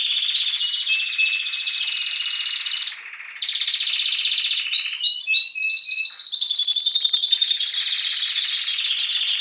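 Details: A Spanish Timbrado canary in Anavissos, Athens, Greece, in February 2016, awaiting spring, sings a long, loud, metallic song of rapid trills and rolls, shifting between higher and lower tours with barely a pause; Belgian canary.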